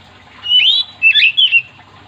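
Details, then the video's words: Oriental magpie-robin singing vigorously, a song said to make other magpie-robins join in: one rising slurred whistle, then a quick cluster of three sweeping whistled notes, over a faint low background hum. "Kacer gacor yang bikin Kacer lain ikut 3m051"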